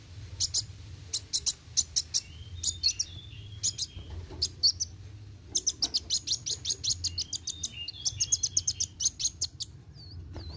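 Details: Sunbird (kolibri wuling) giving an energetic roll tembak song: long strings of piercing high chirps, rapid and rattling near the end, mixed with short downslurred whistles over a faint constant hum.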